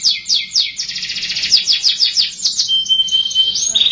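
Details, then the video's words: Canary song played to stimulate young canaries to start singing. A continuous, loud, high-pitched run of rapid chirps and rolling trills changes speed several times, ending in a steady piping whistle with quick notes. "PANCINGAN KENARI MUDA AGAR CEPAT BUNYI | CANARY SOUND"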